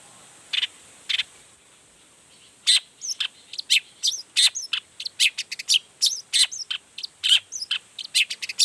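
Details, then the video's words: Long-tailed shrike singing hard and showing off its repertoire, meant to provoke other shrikes into singing: two isolated notes, a pause, then a fast, varied stream of sharp chirps and twittering phrases. "Toetan Cendet Gacor Full Emosi Bongkar Materi Bikin Cendet Lain Langsung Panas Nyaut Ikutan Bunyi"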